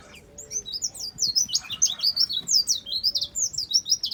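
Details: Dakbal white-eye (pleci), seven years old, delivering rapid high-pitched twittering: sharp, slurred chirps run together in an unbroken lively phrase, some notes rising, others falling.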